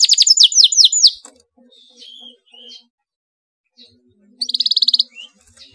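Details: Canary singing emotionally: a run of fast downslurred notes, soft thin whistles and low murmur in a quiet stretch, then a short, even, rapid high trill.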